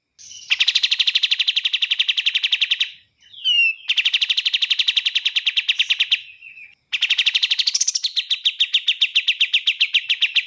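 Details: Three long rapid trills from a bar-winged prinia, each a steady stream of sharp repeated notes, split by brief pauses with a quick whistled slur between them; clean bird-training recording.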